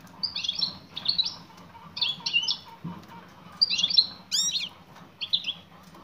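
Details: A female European goldfinch calls to a male with rapid, high, buzzy twitter clusters repeated roughly every second, one burst ending in a sharp swooping note, against a soft low hum.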